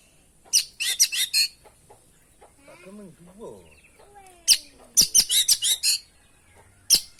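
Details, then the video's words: Oriental magpie-robin (kacer) in full, varied song, a masteran lure recording: dense bursts of sharp, buzzy high chirps, then a pause with lower rising and falling notes, then more rapid chirp clusters. "masteran pancingan burung kacer gacor isian bongkar"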